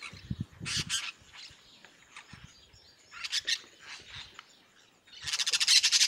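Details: Yellow-chevroned parakeets calling loudly in the Bahia sertão, Brazil; bursts of piercing high chatter at the start and middle, ending in a fast, rapidly repeated screeching run.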